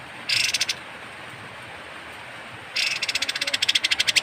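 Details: Kapas tembak bird, harsh call suited for songbird tutoring: a short buzzy rattle, about two seconds of quiet, then a longer accelerating series of dry rasping pulses.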